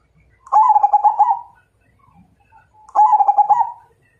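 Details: Zebra dove of the Majapahit type challenging to fight: two stuttering cooing phrases, each a rapid run of soft pulsed notes ending in a drawn-out coo, about two and a half seconds apart, in a quiet setting.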